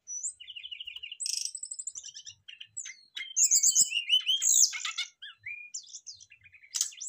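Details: Brown-chested jungle flycatcher singing in rapid, varied phrases of high whistles, trills and buzzy notes, with clipped chirps and sweeping slurs in quick succession and brief pauses between bursts.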